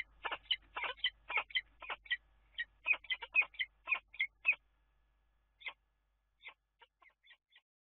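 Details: Common kestrel calling from its nest place at the Dunea water tower in Scheveningen on 10 April. A quick volley of harsh, clipped notes for about four seconds, then a pause and a few fainter, scattered notes.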